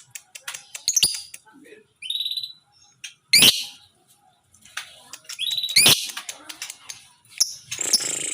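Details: Lovebird, tame but aggressive, giving a short-circuit laughing chatter: sharp high squeaks and harsh broadband bursts, some rapid rattling trills, uneven and scattered, with a voice audible in between.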